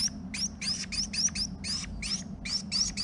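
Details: Female Carolina Wren calling to her mate during nest building in a garage, filmed with a GoPro; rapid series of about a dozen short, bright upslurred notes, roughly four per second, over a low steady hum.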